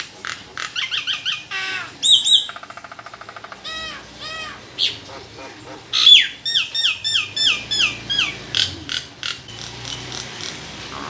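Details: Nias hill myna kept as a songbird, delivering a long mixed medley: harsh chattering notes, a pure high whistle, a fast buzzy trill, then a quick sequence of descending whistled slurs and clicks.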